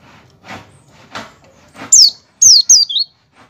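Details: An Oriental white-eye calling ngecal-ngecal to lure white-eyes into song: after a few soft rustling sounds, a run of four bright, steeply descending whistles, the last one lower.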